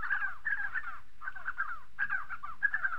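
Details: Spotted sandgrouse (Pterocles senegallus) in southern Morocco give a steady run of gurgling, bubbling mid-pitched calls, several overlapping in bursts about every half second.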